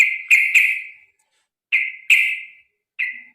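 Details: Sooty-headed bulbul singing a long fighting-style song meant to get other birds singing: loud, bright chirped notes, each sliding down and fading, given singly and in pairs with short gaps between.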